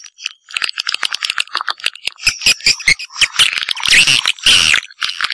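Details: Swiftlet sounds, type Sp M567: a run of dry, quick clicks speeding and slowing, followed by louder chirps and short upward-sweeping whistled notes.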